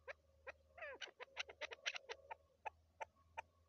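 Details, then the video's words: Female chukar partridge, a shikari (hunting) chakor, giving a series of sharp, dry clucking notes, about fifteen in under four seconds, quickly bunched at first with one brief rattling note, then spaced roughly a third of a second apart; otherwise quiet. "Shikari Chakor turkey Keklik sesi femaleChakorشکاری چکورآوازمادی چکور"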